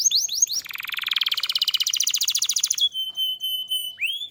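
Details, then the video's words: Canary singing to prompt other canaries: a few falling chirps, a rich buzzy rolling trill lasting about two seconds, a long pure steady whistle, then a rising slurred note. "Suara burung kenari gacor AMPUH buat PANCINGAN burung kenari agar bunyi"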